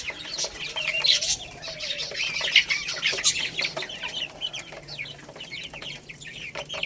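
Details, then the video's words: Baby chicks eating rice give a busy chorus of high, thin chirps and peeps that overlap irregularly, with some wing flutters. "Cute Baby Chicks Eating Rice | Beautiful Chicks Chirping Sounds"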